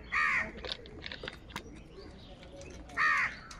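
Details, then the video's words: Two rasping caws about three seconds apart from crows feeding and squabbling in the morning, with soft clicks and tapping in between. "Many Crows Crowing sounds and Crowing noises in the Morning"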